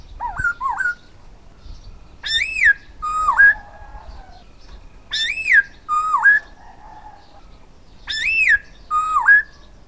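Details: Silver-eared laughingthrush song from a decoy bird: loud whistled phrases repeated about every two seconds, each an arching slurred note followed by a dipping, rising whistle, with a lower warbled note between some phrases.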